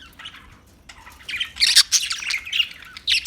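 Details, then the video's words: Budgie chirping: bright high chattering and warbled squeaks, building from soft twitters to a denser burst of loud notes, with brief pauses. "Beautiful Parrot Talking Beautiful Budgie Beautiful birds Chirping Sounds"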